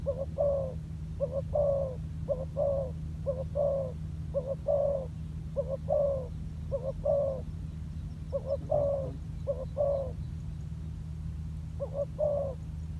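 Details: Spotted dove kept as a decoy bird, training on the ground, gradually showing its style: mellow two-part coos repeated about once a second in loose groups, with a short pause before the last phrases, over a steady low hum.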